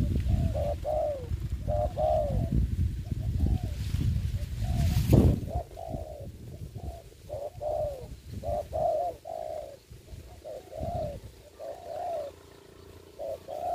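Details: Decoy spotted dove at a ground trap, recorded during the COVID-19 season. Short arched coos repeat steadily over heavy low-frequency rumble, with a loud clattering burst midway before the coos continue more quietly.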